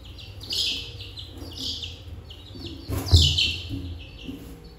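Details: Baby chick giving loud, high peeps that fall sharply in pitch, repeated about once a second, with low rumbling background noise and a brief thump midway.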